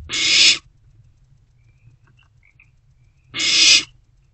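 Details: An owlet inside a nest box after midnight, gulping down a rodent just brought in, gives two long breathy screeches about three seconds apart, with faint quiet chirps in the gap.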